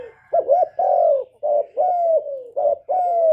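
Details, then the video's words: Spotted dove cooing loudly, recorded directly as a lure to stimulate kept doves to sing; low mellow hooting phrases in quick succession, a short looped note then long slightly falling coos, no other noise. "Cu gáy lớn tiếng, không tạp âm, giọng hay dễ mở, cu gáy kích bổi"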